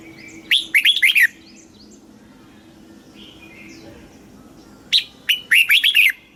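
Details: Red-whiskered bulbul, a caged Thai songbird, giving a southern master-style song played to stimulate other birds and tutor chicks: two phrases of rapid, bubbly whistled notes, each with five or six quick slurred syllables, separated by a pause of about four seconds.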